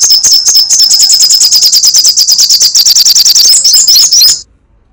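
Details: Sunbird in full crecetan chatter, a continuous shrill series of fast ticking notes that grows more jumbled near the end before stopping suddenly.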